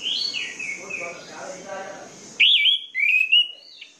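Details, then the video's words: Orange-headed thrush song for stirring idle birds to sing: soft whistled phrases under a high drone, then a loud, clear sequence of warbled, looping whistles and a rising trill that ends the passage. "PANCINGAN ANIS MERAH MACET DAN MALAS BUNYI"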